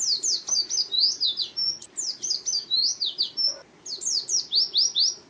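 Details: Pet white-eye (pleci), a contest bird kept by song fans: a fast, twittering run of high, thin, sharply falling chirps, slurred together in dense bursts with brief pauses, over a faint low background rumble.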